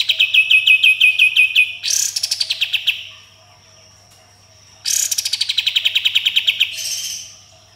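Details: Sooty-headed bulbul in full song with 'tembakan' rapid-fire phrases and rough 'besetan' rasps. A fast train of clear downslurred whistles gives way to two harsh, buzzy rattling bursts, each breaking into quick regular pulses.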